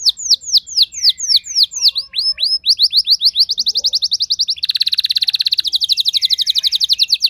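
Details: Pet canary kept at home, responding at once to another singer with a long roll: a series of downward-sweeping whistled notes speeding into dense rapid trills, each phrase of many quick repeated elements.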